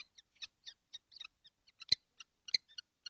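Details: Seven kestrels together in a nesting box on a hot day, 12 June 2025. High, thin, short squeaky calls overlap from several birds, about one and a half calls each second, with two louder sharp clicks.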